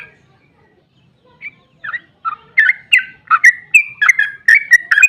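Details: Trucukan, the sooty-headed bulbul, in excited long ropel song used to lure other bulbuls to reply; after a quiet start, whistled notes build up and quicken into a dense, bubbling, rising and falling series.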